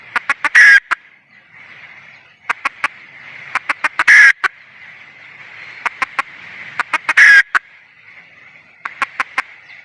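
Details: Wild red junglefowl hen repeatedly calling: several sequences of rapid clucks, each topped by a rough, raspy squawk, over a faint, steady background hiss.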